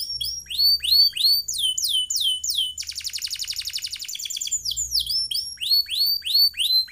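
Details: Atlantic canary delivering a long rolling tutor song for other birds: repeated falling whistled phrases, a dense buzzy trill in the middle, then more downward-sweeping notes, with low rumbling at times.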